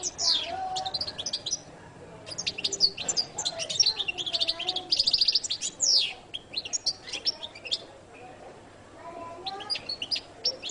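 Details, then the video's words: Extended jilguero latino song by a goldfinch: two long bouts of intense, rapid high twittering and trills lasting several seconds, then sparser chirps and a short closing burst. "canto de jilguero latino prt2"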